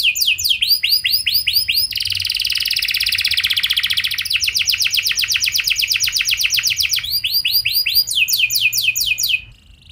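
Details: Canary pancingan lure song with luxurious cengkok mewah variations and long shots: arched whistled notes, long dense buzzy trills and sweeping phrases, changing pattern several times before stopping abruptly.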